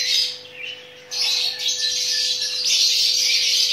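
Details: Chattering lories during mating give harsh, rasping screeches in a near-continuous run, pausing briefly before resuming loudly, over a faint steady hum.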